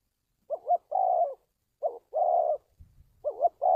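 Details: Spotted dove calls played to train decoy birds and draw wild doves into traps. Three clear phrases come in quick succession, each a fast wavering double note followed by a long, even coo. A faint rumble is heard between them.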